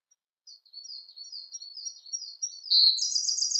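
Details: Siberian blue robin song: a quiet run of thin, high ticking notes that builds into a loud, rapid, buzzy trill near the end.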